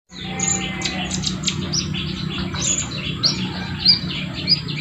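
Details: Wild olive-backed sunbird singing vigorously: a rapid, busy run of high thin chirps and twittering notes, with a steady low hum underneath.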